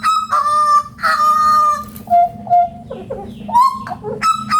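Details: Hooded butcherbird, endemic to Papua, singing loud, rich, drawn-out notes that hold steady, broken by shorter lower notes and quick rising slurs, with a steady low hum underneath.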